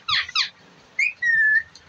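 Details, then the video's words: Pet ringneck parrot giving two short harsh squawk notes, then a rising whistle and a long level whistled note, all loud and close indoors. "Parrot Ki 🌹Bolane Walee | Ringneck Parrot"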